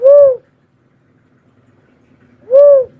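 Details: Cuckoo-dove repeating a smooth, arched hooting note twice, around two and a half seconds apart, over a faint low rumble.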